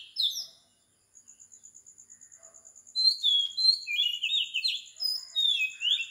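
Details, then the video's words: Oriental magpie-robin song recorded at 4 am on the tropical island of Sri Lanka. A short whistle opens, then a quiet pause with faint ticking, then a burst of varied warbled, slurred whistles. A steady high pulsing tone runs throughout. "Morning Bird Song 4 Meditation Relaxation insomnia Magpie Robin Singing"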